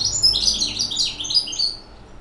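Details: Hybrid European goldfinch aged six months giving a loud, continuous run of high, jangling warbled notes with quick pitch wiggles, fading out at the end.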